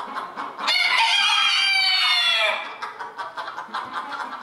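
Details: At a 2022 rooster crowing contest in Villers-la-Ville, Belgium, a rooster gives one loud, strained crow lasting about two seconds, harmonics-rich and slightly falling at the end, followed by softer clucking and scratchy background noise.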